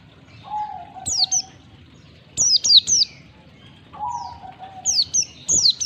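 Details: White-eye recording used as a lure to prompt caged birds to sing with open beaks: bursts of thin, high, sharply falling chirps in quick clusters, separated by a lower, steady whistled tone that fades out.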